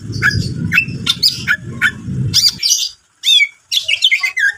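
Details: Energetic cucak ijo song used to provoke another bird: sharp rising chirps repeated about twice a second over a low rumble, then after a brief gap, twisting high whistles and quick warbled notes.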